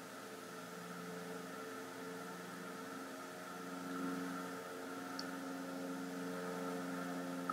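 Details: Constant droning hum with steady tones, like a fan or motor running indoors, and no animal sound.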